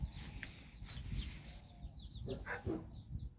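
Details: Domestic hen out walking with her nine chicks in Bizkaia, Basque Country. Constant high, thin, downward-slurred chick peeps, with a few short low clucks from the hen near the end over a rumbling background.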